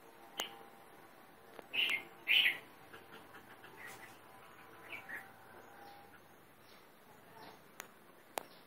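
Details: Sri Lanka grey hornbill, a bird living mostly in the Southern Province, giving two loud harsh squealing notes close together, then weaker scattered calls and a few sharp clicks.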